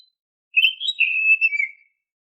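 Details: Oriental magpie-robin (kacer) sings one sweet, continuous warbled phrase that climbs slightly and then trails downward, lasting about a second. The song is used as a lure to prompt caged birds to sing. Background is quiet.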